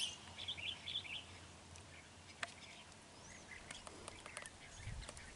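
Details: Red-whiskered bulbul serving as a trapping decoy, 31 January 2019, sings a bubbly run of notes in the first second, followed by scattered clicks, taps and faint distant chirps against rustling background noise.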